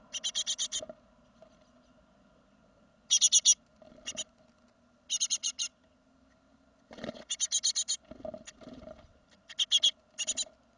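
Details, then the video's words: Great tit fledging from the nest during a second brood in 2016: repeated groups of quick, raspy notes recur every few seconds, interrupted by rustling and knocking sounds and a steady low hum. "Széncinege másodköltés kirepülés"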